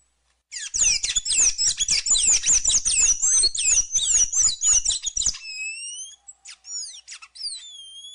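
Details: ['A Sayaca tanager gives a long, rapid stream of high, squeaky, slurred chirps for nearly five seconds, then a few spaced thin whistled notes.']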